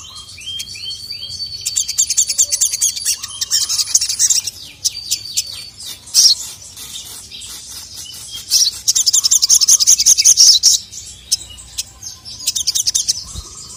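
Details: Sogon, a kept songbird, with a female calling a male and the male answering agitated; high, thin chirps and dense rapid trills in bursts, some sustained chattering runs of about two seconds, with faint background hum.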